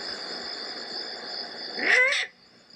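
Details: A Great Horned Owl in the Southern California mountains gives one harsh, raspy begging squawk lasting about half a second, over a steady high hum of insects; the same bird later transitions to hoots.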